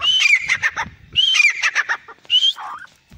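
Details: Black francolin (teetar), male and female: loud grating phrases opening with a clear whistled note then harsh rattling clicks, repeated about every 1.2 seconds, three phrases with the last trailing off.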